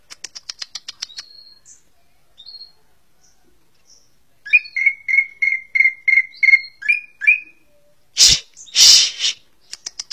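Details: Cucak ijo, the greater green leafbird, opens with a fast buzzy trill and a few thin high whistles, then delivers a steady series of about ten ringing whistled notes before two loud harsh rasps.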